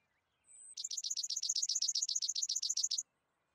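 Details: Worthen's sparrow: a thin high whistled note, then a fast, dry, even trill of about eighteen buzzy notes lasting a little over two seconds. Quiet background.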